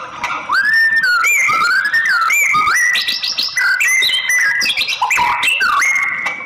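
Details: White-rumped shama, billed as a female voice to rouse male singing; loud rich whistled phrases with rising slides, stepped notes and buzzy high bursts in quick succession.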